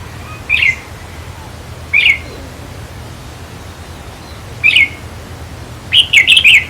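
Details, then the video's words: Caged red-whiskered bulbul song meant to excite other birds: brief bright chirped notes at irregular gaps, ending in a fuller rapid warbled phrase, with steady hiss behind. "ต่อเพนียดนกกรงหัวจุกแก้มแดง เปิดให้นกฟัง ยั่วให้นกคึก"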